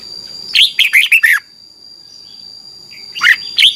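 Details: Red-whiskered bulbul phrase in the Thai doubled singing style, for young birds to learn from. A fast series of five bright slurred notes, a pause, then the start of another phrase, over a constant high whine.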